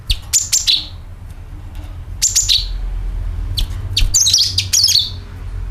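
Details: Lure call of a sooty-headed bulbul: four groups of piercing high notes, each sliding sharply downward, spaced a second or two apart, with a steady low rumble underneath.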